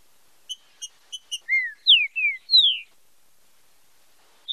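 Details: Green-winged saltator giving the fibra com marcheado song, meant for training and stimulating singing: four dry ticks, then four fluid whistles sliding down in pitch, with no other sounds.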